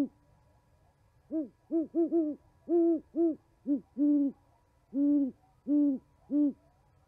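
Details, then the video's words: Winter owl exchange at a Montana osprey nest, 11 January 2020: a rhythmic run of about eleven low hollow hoots, a clipped cluster early on, then steadier, longer hoots spaced under a second apart. "Hooties chatting"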